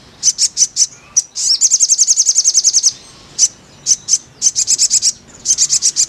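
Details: Crimson sunbird song, played as therapy audio to get a kept bird singing readily: high, sharp chips in short bursts, then a rapid even rattle of about a dozen notes near two seconds, then more spaced chip groups. Background is quiet.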